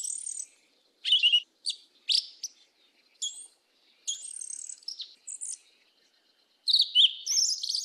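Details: Yellow-legged Thrush (sabiá-preta) singing in the southern 'mateiro' style, with isolated sharp high notes and short squeaky phrases spaced by silences, ending in a louder tumbling warble of mixed whistles.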